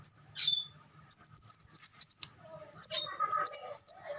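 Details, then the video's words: Kolibri wulung sunbird: an opening squeaky note, then two bursts of fast, high warbling chirps, with a softer mid-pitched chatter under the second burst. "suara burung kolibri wulung"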